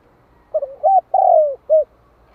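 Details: One phrase of a spotted dove calling to stimulate birds: two quick short coos, a hooked coo, a long slurred descending coo, then a final brief coo, all mellow and low.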